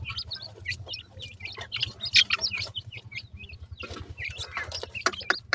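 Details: Baby partridge chicks calling while feeding: a dense chorus of high, sharp peeps, many slurred up or down, overlapping rapidly, over a steady low hum.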